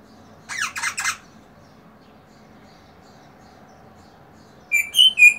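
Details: Rosella making a rapid burst of three harsh, scratchy squawks, then a pause, followed by three short bright whistled notes, with nothing else audible.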